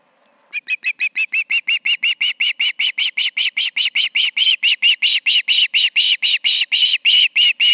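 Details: Osprey at the Charlo nest on an August evening, two birds present; after a faint start, a sustained fast series of loud, piercing whistled chirps grows stronger and steadier.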